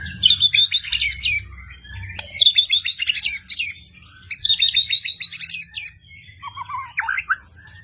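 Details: Medan white-rumped shama pouring out sharp 'tembakan' phrases: three long, dense, buzzy-trilled high bursts, each about 1.5 seconds, separated by short gaps, then lower twittering notes at the end.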